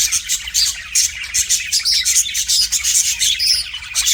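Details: Pet budgerigar singing to a mirror: dense, continuous warble of rapid high chirps, clicks and buzzy notes in quick bursts, with brief whistled squeaks woven through.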